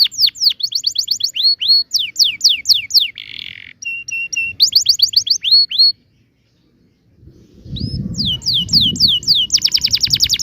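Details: Rolling canary song (ngerol) with 'tembakan' bursts, played to teach young canaries to sing: quick falling whistled sweeps, a buzzy trill and paired short notes, a brief silent pause, then a low rumbling background under a rapid, dense trill.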